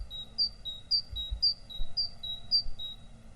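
A great tit repeats a bright two-note phrase, high then slightly lower, about two per second, over a low background rumble.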